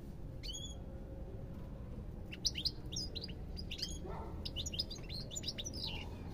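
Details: Goldfinch song with scattered clear chirps early on, then a fast run of liquid, twittering notes from the middle onward, against a constant low rumbling background.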